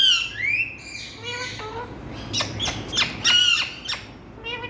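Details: Indian ring-necked parakeets: a rising whistled squawk opens, followed by descending calls and a fast sequence of sharp clipped chirps and screeches, with a low hum underneath.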